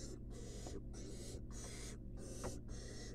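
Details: Faint rasping hisses from a begging wild barn owl chick at a monitored nest box during a rat feeding. The bursts are partly buried in steady background hiss.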